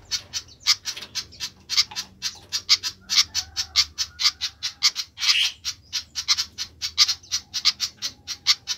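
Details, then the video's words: Restless flycatcher chattering: dense, rapid scratchy notes, several each second, with one longer hissing rasp partway through and a faint low hum underneath. "ADA APA DENGAN BURUNG SIKATAN INI KOK RIBUT"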